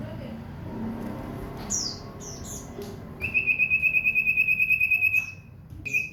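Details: Caged common iora kept as a home bird, singing actively: scattered high downslurred notes, then a rapid, even trill held for about two seconds, with steady background hiss throughout.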